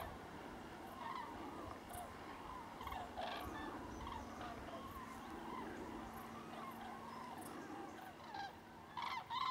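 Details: Over 5000 common cranes (Grus grus) flying southbound over Jouy, Cher, in Berry; their rolling, trumpeting calls overlap into a continuous chorus with no single bird standing out.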